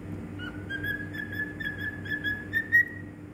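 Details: Cockatiel from Bahrain whistling a song of short connected whistles, gently rising and repeated, over a constant low electrical hum.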